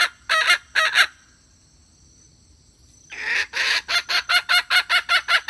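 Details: Hen calling, used as a decoy for trapping: two bursts of harsh, broad clucking notes, a pause, then a fast series of loud raspy notes repeated about two to three times per second.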